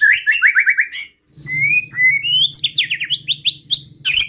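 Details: White-rumped shama song used to goad opposing males: a quick series of rising whistled notes, a short pause, then a climbing sequence of slurred whistles over a low steady hum.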